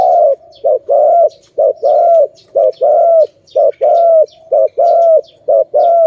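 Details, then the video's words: Zebra dove, known as Malay dove, recorded during bird trapping: a fast, steady run of short clipped notes alternating with longer drawn-out coos, about a dozen notes in six seconds, with faint high chirps from other birds above. "Lovely dove- Video lovely Malay dove, Sound of good dove"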